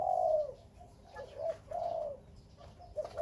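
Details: Spotted dove among Khmer and Malay dove breeding birds, giving low, soft coos: a long, slightly falling note, then shorter hooting notes at roughly half-second to one-second gaps, with faint chirps in the background.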